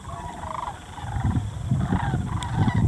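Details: Wintering sandhill cranes feed in farm fields near Muscatatuck National Wildlife Refuge in southern Indiana. A chorus of rattling, bugling calls overlaps, some rising and falling, while low wind rumble grows louder toward the end.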